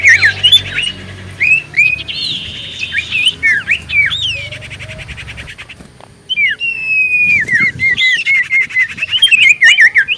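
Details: Common iora in full song as a lure recording to prompt answers: rapid series of looping whistled notes, about three per second, mixed with short buzzy trills and a sustained rattling phrase.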